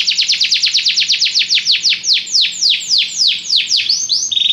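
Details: Belgian canary singing as song training: a fast series of bright, high descending sweeps that slow and lengthen over about four seconds, ending in a short buzzy note, with no other sounds.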